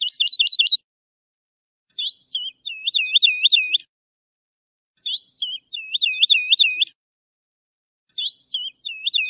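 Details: Lark song for training fledglings: a sharp buzzy flourish, then phrases of looping, bouncing whistles repeated about every three seconds, with clean quiet between them.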